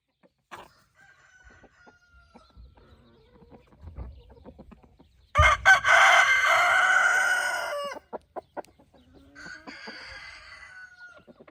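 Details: Evening roosters kept with hens, scratching in golden light: a loud, raspy crow lasting over two seconds, with a sustained, wavering tail. Fainter crows from farther roosters come before and after it, with scattered clicks and taps.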